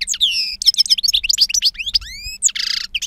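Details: Two-year-old European goldfinch singing in wild style with long calls: clear rising whistles, busy twittering, drawn-out upslurred notes and a closing harsh buzz, delivered without pause.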